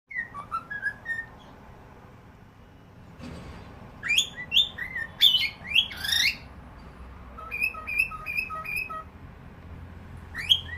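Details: Cockatiel calling: a few short rising whistles open, then loud squawky upward-sweeping notes, followed by a run of four brief level whistled notes and a final rising squawk, over faint background hiss.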